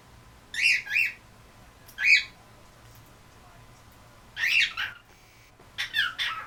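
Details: A female pet cockatiel gives harsh, screechy calls in short bursts, often paired, with pauses between them.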